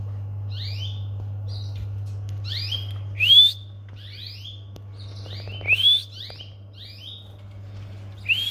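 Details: Domestic canary giving short, sharp rising chirps in small irregular bursts, with a few louder upswept notes standing out, over a constant low electrical hum.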